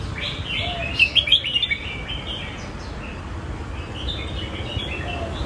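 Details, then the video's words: A red-whiskered bulbul sings a "diamond" style song: a quick, bright warbled phrase of four or five bubbly notes, followed by softer chirps over a steady low rumble of background noise. "นกกรงหัวจุก เพลงเพชร"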